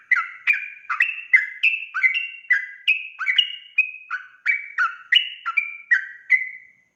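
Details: Rapid 'ropel' song of a sooty-headed bulbul played as a lure: about eighteen chattering, liquid whistles, some with paired upper and lower tones, rolling along at a brisk, slightly irregular pace, with nothing else heard.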